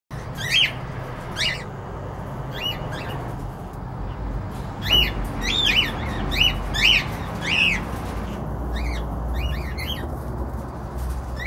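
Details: Cockatiels giving arched, screechy chirps, several in quick clusters, some overlapping, with a low steady hum underneath.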